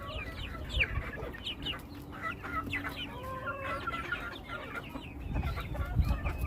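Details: Domestic chickens give a chorus of high downward-sliding peeps, with a longer, lower drawn-out call in the middle and some bumps and knocks toward the end.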